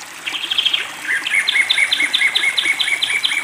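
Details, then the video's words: A long-tailed shrike kept with water therapy sings a fast, chattering run of high, scratchy notes, then a steady series of paired chirps about every quarter second, over a faint background hiss. "pentet Matahari gacor"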